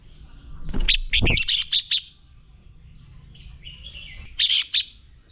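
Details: Red-whiskered bulbul giving a fighting song (hót đấu), used to train and provoke males into heated singing. Short bursts of bright, slurred whistled notes and quick warbled phrases come in two spells, with a few dull knocks near the start.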